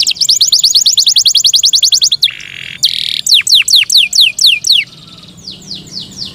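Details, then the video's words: A canary, identified as Belgian and also called Yorkshire, sings a rapid, high trill of repeated notes, breaks into harsh buzzy bursts, then slows to a series of swooping whistles. "Yorkshire canary Nice sound"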